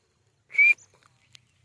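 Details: Partridge known as white teetar gives a single bright, piercing whistled note lasting a fraction of a second, with a faint click after it.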